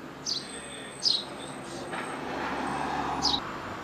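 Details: Sparrows giving a few loud, high, downward-slurred chirps spaced irregularly, captured on a compact camera, with a faint steady whine and distant low rumble in the background.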